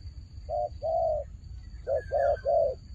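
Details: Turtle dove fighting: a short coo and a longer drawn-out purr, a brief gap, then three quick rolling coos.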